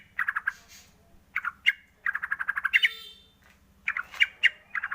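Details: Song of a white-rumped shama, used as a lure to stimulate other shamas to sing: rapid rattling series of harsh, squawky notes in bursts, broken by sharp high accents, over a low steady hum.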